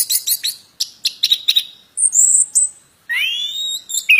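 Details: Plontang bird, lively singing: a burst of dry stuttering chirps, then high piercing whistles and a long rising, wavering whistle near the end.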